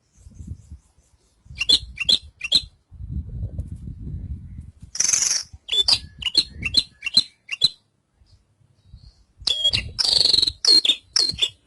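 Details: Javan bush lark song: short bursts of sharp, high chirps and buzzy notes in irregular clusters, with pauses and soft low rumbling between phrases.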